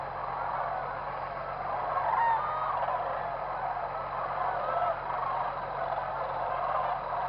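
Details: Many whooping cranes calling at their roosting area around sunrise, a constant murmur of honking voices with occasional clearer trumpeted notes; a faint low hum runs underneath.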